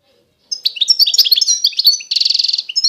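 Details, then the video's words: Constantine goldfinch from eastern Algeria opens after a short silence with a run of bright, jangling chirps and whistled slurs, then a rapid buzzy trill, then a final high note. "تغريد الحسون القسنطيني الاصيل (حسون الشرق الجزائري)"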